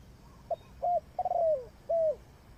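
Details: A single coo phrase from a spotted dove used as a trapping decoy: a soft clipped note, a rounded coo, a long rolling coo falling in pitch, then a final arched coo.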